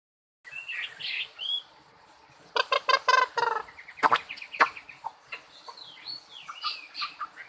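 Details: Bird singing, a quiet, patchy phrase of short whistles and sharp clicking notes, with bursts of dry rattling chips in the middle and rising and falling whistled notes toward the end.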